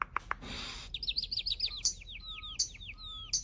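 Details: Starling that makes human-like sounds: a few sharp clicks and a short noisy burst, then a run of quick descending whistled notes with a steady, thin tone held underneath.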